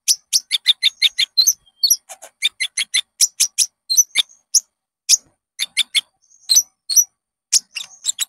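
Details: Olive-backed sunbird (konin) lure song for training caged birds to sing: rapid series of sharp high chirps and short stacked notes, with brief thin whistles between, clean with no other sounds.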